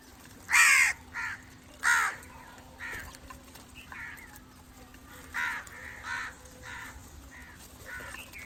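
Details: Crow call used to attract crows: two loud harsh caws open the sequence, followed by a string of fainter, more distant-sounding caws at irregular intervals, roughly one every second, over a faint steady hum.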